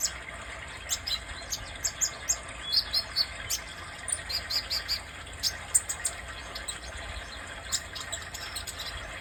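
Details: A sunbird called kolibri dada merah sings a long run of high, thin chirps and short twittering trills, the notes coming in small uneven clusters against faint steady hiss.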